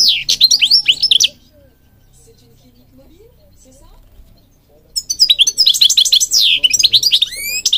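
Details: European goldfinch singing, from Morocco, a songbird recording used to train and stimulate caged birds: bright twittering bursts of rapid high notes, a pause of about three seconds, then a longer liquid tinkling run.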